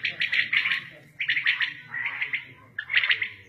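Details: Common quail recorded in a village at Shahbazkhel, in a quail-hunting setting: bright, buzzy bursts of call notes in quick clusters, broken by short pauses, with faint human voices underneath.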